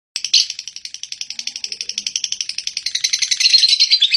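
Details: Lovebird giving a long ngekek song, a fast steady run of high, harsh chattering notes, roughly eight per second, holding on without a break for about four seconds.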